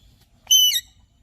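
A single loud, harsh whistled chirp from an Alexandrine parakeet, about a third of a second long and dropping in pitch at the end; nothing else is heard.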